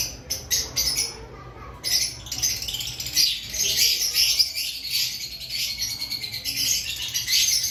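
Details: Lovebirds ahead of the breeding season. A few clicking chirps, a brief pause, then steady, continuous shrill squawking and chattering from overlapping birds.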